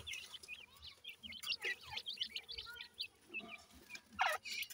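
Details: Grey francolin chicks in a breeding setup, being fed insects by the female, give thin high chirps in quick runs of short rising and falling notes, with faint low rustling and handling noise beneath.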